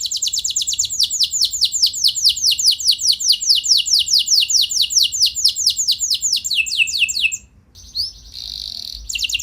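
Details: Canary singing a long rolling song meant to provoke other canaries to reply: a sustained rapid trill of high downslurred notes that runs for about seven seconds, followed by a short buzzy note and a gap.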